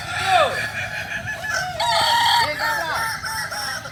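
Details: ['Kukuak balenggek rooster, a native chicken of Solok, West Sumatra, at a crowing practice contest: harmonic, wavering crow notes with clucking and background chatter.']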